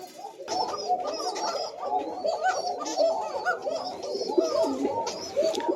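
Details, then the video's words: A loft of breeding Koka pigeons, kept for their thin call, coo together on April 30, 2025: overlapping low, rolling coos with quick bubbling notes, pulsing without pause, as the breed keeps calling continuously, over a soft room background. "চিকন ডাকের কোকা কবুতর"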